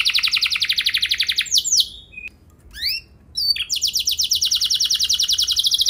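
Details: Canary song meant to spur other canaries into long rolls: steady high buzzy trill, scattered whistled slurs around a quiet gap, then another long rapid trill.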